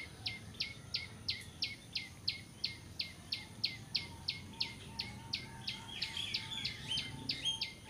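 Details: Bar-winged prinia (ciblek) call, played to lure birds for trapping: a rapid, fairly steady series of sharp high notes, each dropping sharply in pitch, about twenty in eight seconds, over a constant high insect drone and low rumble.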